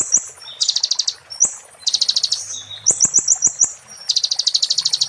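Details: Konin (kolibri ninja) song in the 'muntah beling' style used to tutor magpie-robins: very high, fast rattling trills alternating with short sliding whistles, bursts following each other with almost no gap.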